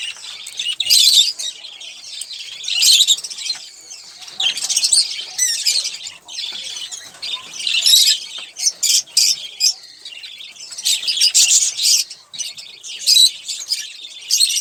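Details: Olive-throated parakeet eating sunflower seeds and drinking water, giving harsh, scratchy squawks and chattering bursts in bunches roughly every second or two, with short pauses between bouts.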